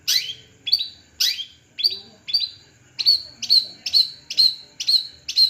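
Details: Long-tailed shrike of the Madura type on a perch, giving loud harsh downslurred notes that settle into a series of sharp high chips repeated about twice a second.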